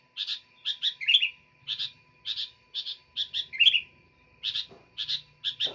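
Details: Sooty-headed bulbul singing vigorously: short, bright chirped notes, mostly in pairs or triplets, repeated steadily about a dozen times, with a faint steady hum underneath.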